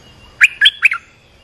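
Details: Olive-winged bulbul call, played to train young and mute birds and to lure wild birds: one quick bubbly phrase of three chirpy notes, bright and fluty, over quiet background.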